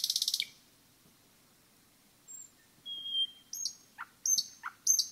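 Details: Common nightingale in a forest: a brief harsh rattle opens, a pause follows, then a thin steady whistle and scattered sharp clicks and short dipping notes, quieter and more broken than a full phrase.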